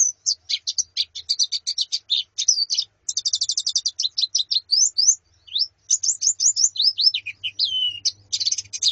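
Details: Calls of a female Zosterops with a colony, played to train a male's song: continuous busy high twittering, quick chirped trills and short rising and falling whistled notes in a dense chatter.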